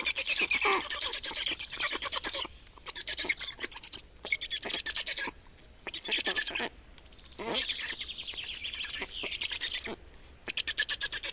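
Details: Black storks at a nest in Estonia on 28 May 2019, during a nest change and feeding: dense bursts of rapid, scratchy chirps and harsh broadband pulses, with short pauses between bursts and no other clear sounds.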